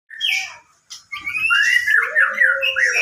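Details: White-rumped shama singing: a varied run of squawky and clear whistled phrases, some sliding and warbling, with a brief pause before a longer, rich stretch of looping notes and a lower, sustained whistle underneath.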